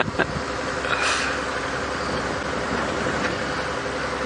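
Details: A safari vehicle's engine idles at sunrise, giving a steady broadband rumble with a brief hiss and a few faint knocks, and no animal voice stands out.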